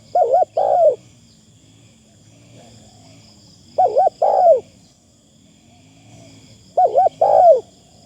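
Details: Spotted dove used as a decoy bird, calling with a thin, pleasant delivery: three low cooing phrases, each a quick double hoot then a longer falling coo, spaced about three seconds apart over a steady high insect-like hum.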